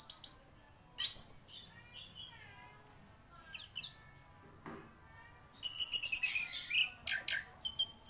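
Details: Champion gacor orange-headed thrush giving a loud high whistle early, then softer scattered notes, followed by a dense rapid series of trilled and chattering phrases in the latter half.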